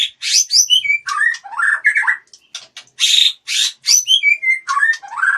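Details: Loud, varied song of a white-rumped shama at a Palembang breeding farm: high whistled phrases mixed with harsh chattering bursts and descending slurs, delivered in rapid continuous sequences.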